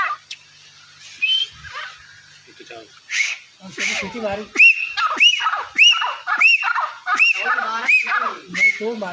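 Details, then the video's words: Deccani partridge giving a string of sharp, rising whistled notes about twice a second in the second half, after a quieter stretch of mixed sounds and faint voices. "The disturbing sound of Deccani partridge/Very sweet pheasant call"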